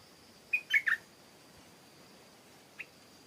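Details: Stripe-throated bulbul song, a quick liquid three-note phrase with a bright opening whistle and two throaty dropping notes, then a single faint short note about two seconds later, with a constant high hiss behind.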